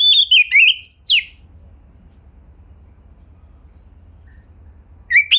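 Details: Oriental magpie-robin (kacer) song used as a pancingan to coax others into singing: a quick burst of sweeping, whistled and chattering notes, then a long near-silent gap with a low hum before a short whistled phrase returns.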